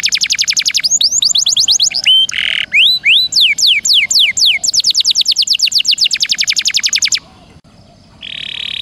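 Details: Canary song used to train songbirds, varied rolls and bursts: quick high trills, rising slurred whistles, a short buzzy blast, downward sweeping notes, more rapid trilling, then a brief harsh buzz.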